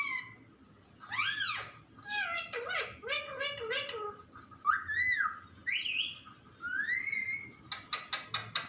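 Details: Parrot mixing talking with whistles: sweeping high notes, a run of choppy speech-like syllables, clear rising whistles, then a rapid series of sharp clicks.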